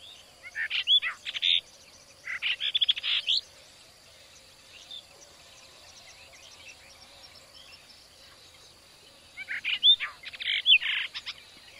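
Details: Brahminy starling (brahminy myna, Sturnia pagodarum) in a village in India giving bursts of harsh, high chattering and squeaky notes, two phrases near the start and one near the end, with quiet gaps between.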